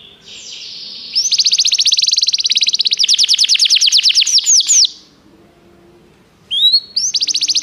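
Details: Canary training song: a long, fast rattling trill of rapid high notes lasting several seconds, ending in a few falling sweeps, a quiet pause, then a fresh rising note and short trill, with faint low background hum.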